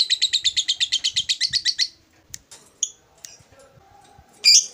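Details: Lovebird delivers a two-second burst of rapid, harsh ngekek chatter. A few scattered short squeaks follow, then one loud shrill call near the end.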